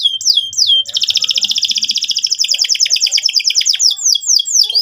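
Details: Canary singing hard, used to prompt young birds into rolling song; two sharp descending whistles, then a long fast pulsing trill that slows into a string of high rising-falling notes.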